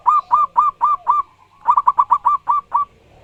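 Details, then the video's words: Zebra dove of local wild stock in loud, full song: a string of five evenly spaced ringing coos, a brief gap, then a faster run of seven more rolling notes. The background is quiet. "Burung perkutut lokal alam gacor dor suara keras & lantang."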